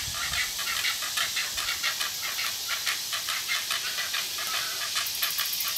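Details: Great egret fledglings squabbling after being fed, one sibling attacking the other; a series of sharp clicking notes, a little over one per second, sits under constant bright hissing background noise.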